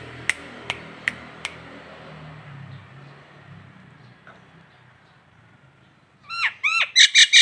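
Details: Nias hill myna on a local training recording: four sharp clicks at steady intervals, a quiet stretch, then a loud series of rapid, swooping, downward-sliding whistles repeated in quick succession.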